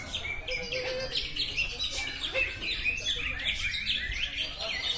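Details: Cucak ijo, the greater green leafbird, in full song at a Megengan singing contest in Batang: rapid, varied twittering and sharp whistled notes flowing without pause, mixed with other contest birds and low murmuring from people.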